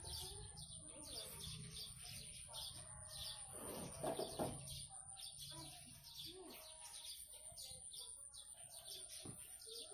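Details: Chatty song of a blue-crowned hanging parrot: quick series of sharp, high, squeaky notes, about three a second, with a steady low hum, a continuous high whine and brief murmured voices in the background.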